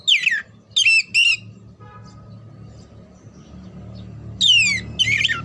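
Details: Kacer (oriental magpie-robin) song for singing-contest preparation: three quick falling whistled notes, a gap filled with low rumbling background noise, then two more loud descending whistles.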